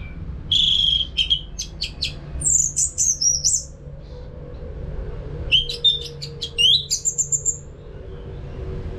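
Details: Orange-headed thrush (anis bata), Singaraja, North Bali, used as training song for caged birds. Clear whistles and clipped chirps come in two bursts over a faint steady hum.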